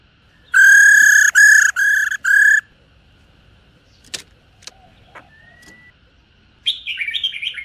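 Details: Four loud, buzzy female black-throated laughingthrush rò notes in quick succession, then a quiet gap with faint taps and a thin whistle, and finally soft chattering.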